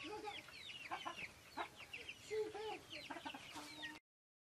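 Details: Silkie chickens kept on a farm, heard as a flock of soft overlapping clucks and brief chirping calls, with a few longer drawn-out notes, ending abruptly in silence.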